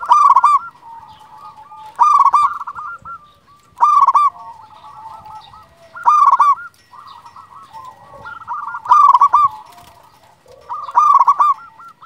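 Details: Zebra dove of a local line calling persistently. Loud clusters of quick, ringing coos recur about every two seconds, six in all, with soft cooing in between.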